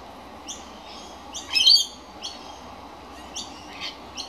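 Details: Baby magpie calling out because it is hungry: short, high, scratchy notes spaced through the clip, with a louder, harsher burst of squeaky calls at its middle over soft steady background noise.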